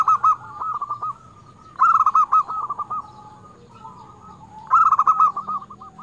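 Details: Crystal-voiced local zebra dove, a frequent singer used to lure doves and stimulate quiet ones. Three strong bursts of rapid, pulsing coos come roughly every three seconds, each fading into softer repeated notes.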